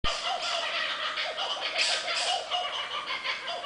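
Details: Kookaburras in Dorrigo rainforest give a loud, harsh, cackling laugh, a rapid string of raucous chuckles that rises and falls without pause for the whole stretch.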